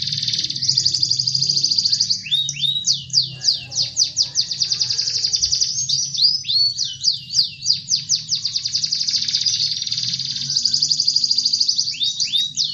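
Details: Gacor canary song used as a lure to provoke quiet canaries into singing: a high, fast buzzy trill, then a run of quick downward-slurred sweeping notes, then the rapid trill again, over a faint low hum.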